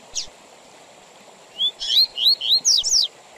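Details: Double-collared seedeater in the tui tui zel zel song style, given with pauses for training young males and for competitions: one lone high note, a silence, then a rapid run of six rising whistled slurs.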